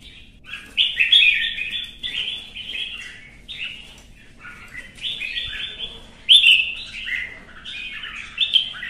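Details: Red-whiskered bulbul kept as a cage bird, singing competitively: repeated short bursts of lively, slurred whistles and chirps, phrases about a second long separated by brief gaps, clean background.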